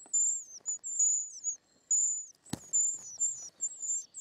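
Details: Short-toed treecreeper young being fed in the nest, producing piercing high, thin wheezy notes that droop at their ends, broken by a pause and a sharp knock or click midway.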